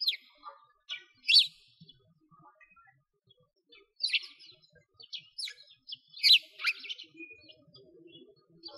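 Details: Sparrows in winter near a frozen lake, Bratislavsky Park, Moscow, Russia: scattered sharp, bright chirps in small bursts separated by quiet gaps, a few louder notes standing out against near silence.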